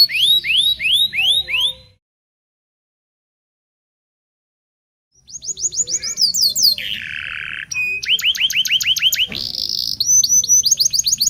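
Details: Local canary singing, lively, used to prompt young canaries to learn song: upswept whistled notes, a silent gap of about three seconds, then fast trills and a buzzy rolled phrase.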